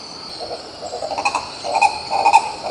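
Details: Green ibis (Mesembrinibis cayennensis) filmed in Pirenópolis, Goiás, Brazil: a run of low, throaty, rapidly repeated notes, starting soft and growing louder, with faint higher chirps above.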